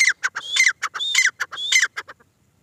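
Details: Harsh, grating series of notes from a female grey francolin, short clicks mixed with longer rasping phrases, stopping abruptly near the end to leave quiet.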